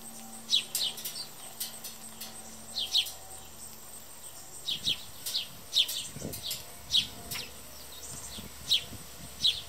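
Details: Hungry house sparrows feeding and shoving one another at a backyard seed feeder give short, bright chirps about one a second, over a faint steady hiss and low rumble.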